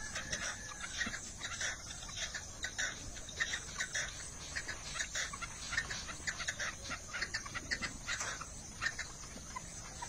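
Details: Red-legged partridge calling: a run of harsh, clucking bursts repeated irregularly through the recording, some doubled, over a steady background hiss.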